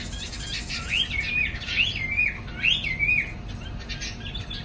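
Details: Caged Chinese hwamei in the afternoon, flapping its wings, singing loud slurred whistles that rise and fall, grouped in phrases of two or three notes repeating about every second, over a low background hum.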